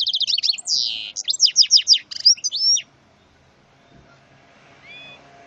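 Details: Hybrid of goldfinch and canary delivering a rich, varied high song of rapid chirps, buzzy sweeps and sliding notes for nearly three seconds before falling quiet, with faint background sounds afterward.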